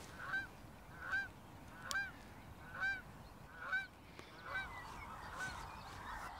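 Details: Geese gathering on a field in the Rhine floodplain (Rheinaue) on a foggy, 0° morning, with greylag geese, ruddy shelducks and Canada geese present. Six loud, harmonic honks come about once a second, followed by fainter overlapping honking.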